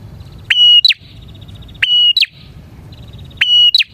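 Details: Bar-winged prinia in energetic song, used as a lure for prinias. Three matching phrases about every one and a half seconds, each a level whistle, a falling note and a buzzy rattle.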